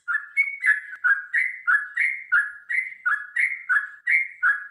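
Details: Yellow-vented Bulbul giving long, rapid fighting song meant to make birds sing: continuous bubbly whistled phrases, each dipping and rising, repeated about three times a second with no pause.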